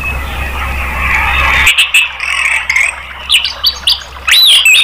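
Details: Prompting song of an orange-headed thrush for caged birds: after a noisy start, short sharp chips and clicks lead into loud whistled sweeping phrases.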